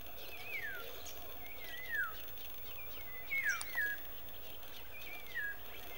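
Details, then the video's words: African golden oriole in Nalerigu, Northern Region, Ghana, on 16 May 2018, giving four clear, downward-slurred whistled notes, about one every second and a half, over a steady low background hiss. "African Golden Orioles"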